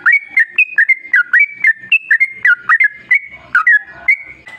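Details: Lively yellow-vented bulbul song meant to draw other bulbuls into singing; an almost unbroken chain of rich, slurred whistles, each bending up or down, delivered at a brisk, uneven pace.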